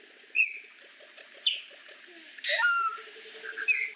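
Solitary cacique song: sharp, bright chirps and a loud harsh burst with a sliding whistle, over a soft low pulsing chatter.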